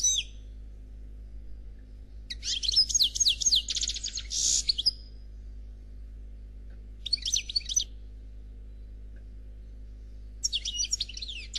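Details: 'Noir' European goldfinch singing khalwi style without faults: a few seconds of dense, scratchy twittering trills, silence, then two shorter chattering bursts spaced several seconds apart.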